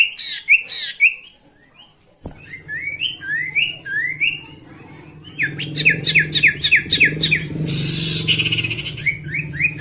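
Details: Song of a sooty-headed bulbul, played to spur rivals into singing: lively rising whistled phrases, then a fast run of sharp repeated notes, with a brief noisy burst and a steady low hum.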